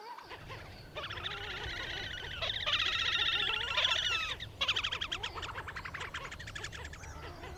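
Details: Slavonian grebe calling: a loud, fast, harmonic trill that runs continuously for several seconds, breaks off briefly, then resumes as rapid repeated notes, with softer low chattering beneath.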